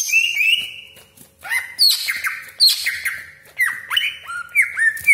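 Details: Greater green leafbird song with sharp 'tembakan' shots, played to stir other leafbirds into singing; clear whistles slide upward, broken by loud explosive notes roughly every second, some falling sharply.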